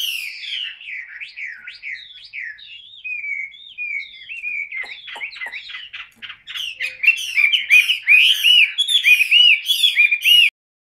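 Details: Caged Chinese hwamei with golden feet and yellow bill sings varied looping whistles that turn into a loud, fast stream of chopped, trilled notes with high clicking chips toward the end.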